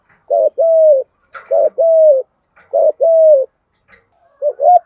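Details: Vietnamese spotted dove from Đồng Nai, coo style 'giọng thổ thúc gù', played to train lure birds: a short hoot then a long, level-to-falling coo, repeated three times at an even pace, with a partial fourth phrase at the end.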